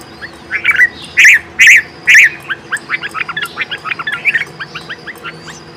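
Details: A bulbul feeding and calling her twin chicks gives four loud, harsh, rising-and-falling notes about half a second apart, followed by a quick run of short, thin chirps.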